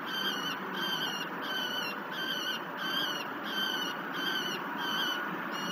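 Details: Peregrine falcon chick being fed at a cliff-face nest near La Crescent, Minnesota, above the Mississippi River, evening of 19 July 2019; shrill harmonic calls repeated roughly every two-thirds of a second over a steady loud hiss.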